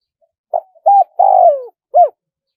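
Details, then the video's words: Four-note spotted dove crow in the 'one kuk' style: a brief low coo, a steady hoot, a drawn-out vibrating coo falling in pitch, and a closing rounded note. Quiet background. "เสียงนกเขาใหญ่ ขันสด คารมป่า100 ขัน 1 กุกเพราะๆ"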